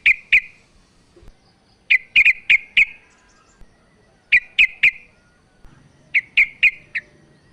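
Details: Female sooty-headed bulbul calling to a male, a recording used as a lure to rouse a quiet male into singing; short bursts of two to four sharp, bright chirps separated by pauses of over a second, over faint low background hum.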